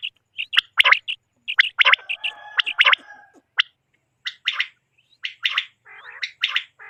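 Quail giving sharp, clicky chirps and short harsh bursts in irregular clusters, about one a second, with a brief gargling, buzzy stretch partway through.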